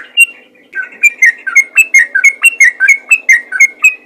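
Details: A lively ropel song from a yellow-vented bulbul, meant to prompt other bulbuls to sing often: a fast, even series of short whistled and chirped notes, around four each second.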